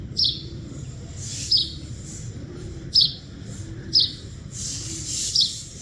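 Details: Wild birds chirping in nature: short bright chirps, each a sharp high note dropping quickly, come about once a second over a steady low background hum.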